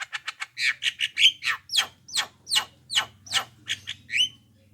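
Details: Javan myna, loud and in good voice, calling to draw replies from other mynas: a fast string of harsh chattering notes, then spaced rasping squawks and a closing upward whistle.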